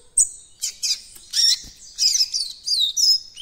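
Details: Young coleiro-baiano working on its encarte song, giving a quick series of high, buzzy chirps and warbled slurs, about six short bursts in close succession.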